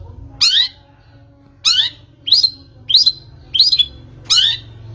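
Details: Long-tailed shrike lure intended to set birds singing. Six loud harsh, grating screeches, each under half a second long, spaced roughly a second apart against quiet background.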